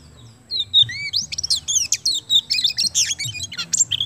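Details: Kemben-type Oriental magpie-robin singing at full strength to stimulate other birds; after a short whistled opening comes a rapid, rich medley of high chirps, trills and sharp notes in quick bursts.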